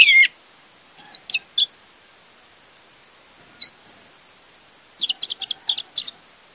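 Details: Orange-headed thrush song used as a lure to prompt a silent thrush to sing: a sharp opening note, then scattered short whistles and two bursts of quick, buzzy chattering notes separated by quiet gaps.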